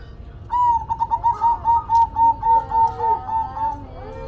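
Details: Zebra dove (perkutut) singing a steady run of about a dozen soft, mellow coo notes, evenly pulsed over three seconds on one low pitch, with a faint second voice beneath.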